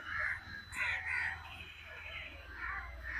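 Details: Crow calling loudly: a series of coarse, nasal caws, two or three close together and then spaced out, over a low steady hum.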